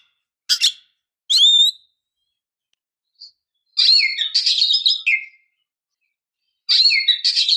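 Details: Female oriental magpie-robin calling to provoke a depressed or stressed male into answering and singing. A sharp chirp and a curving whistled note are followed by two scratchy, buzzy chattering phrases with short pauses between them. No other sounds are heard.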